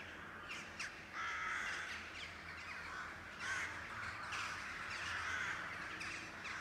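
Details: Crows from a colony calling over the city rooftops near Blücherplatz in northwest Kiel, Schleswig-Holstein, Germany; overlapping harsh cawing bursts, several birds at once, with steady background rumble.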